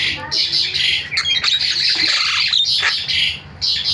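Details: Starling (jalak) chatter used to provoke other starlings into calling: continuous harsh, buzzy squawking with thin whistled notes woven through, almost without pause.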